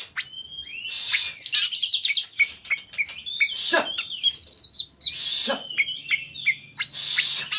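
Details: Oriental magpie-robin in full song, used as a lure to provoke another bird into singing: loud, varied phrases of sharp high whistles, rapid rattling trills and harsh buzzy bursts, separated by short pauses, over a faint low hum.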